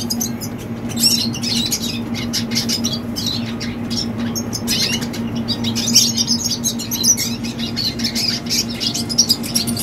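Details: A young red siskin sings in quick, high twittering runs with brief gaps between them, while a constant low hum continues underneath.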